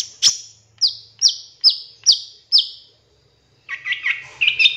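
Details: Long-tailed shrike in a lure master recording with 'shot' fill: five sharp, high whistles, each dropping in pitch, then a quick, chattering run of varied warbled notes.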